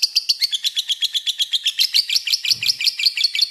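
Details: Lovebird giving long ngekek, used to call an opposing bird: loud, rhythmic high chirps strung together in a fast rattle, with a faint low rustle partway through.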